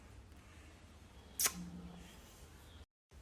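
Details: A sharp click and a brief faint hum sit over low room noise, followed by a short dropout; no animal voice.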